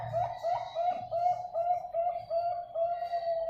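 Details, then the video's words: Zebra dove song used as a master recording to train lazy birds to sing: soft, mid-pitched cooing notes, each with a slight upward lilt, repeated steadily about two or three times a second, over a faint low hum. "masteran perkutut yang malas bunyi"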